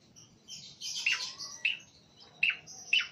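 A male Sooty-headed Bulbul gives bright, bubbly chirps, each a sharp high note dropping into a short slur, repeated about every half second.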